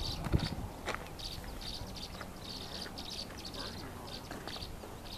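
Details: Tree swallows establishing territory near a nest cavity at Walden Ponds Open Space, Gunbarrel, Colorado, on 15 April 2017, give short, high, liquid chirps in quick irregular bursts over steady low rumbling background noise.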